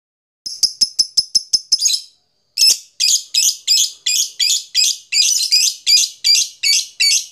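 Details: Fighter lovebird calling out a rival with a long 'ngetik' ticking series meant to provoke other lovebirds into long trills: a fast run of sharp, high clicks, a short pause, then louder, harsher chirps repeated about three times a second.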